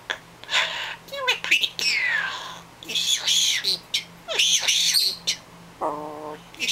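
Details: A talking common myna, hand-raised after being rescued off the ground at about three days old and now over a year old, lets out harsh raspy bursts, sliding whistles and speech-like phrases such as "I can talk", ending in a buzzy nasal note over a faint hum.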